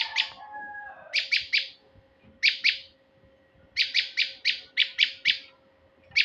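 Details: Male prinia call used to lure birds: a short low whistle, then bursts of harsh, buzzy high chips in quick runs of two to six, with gaps between bursts and a faint steady hum.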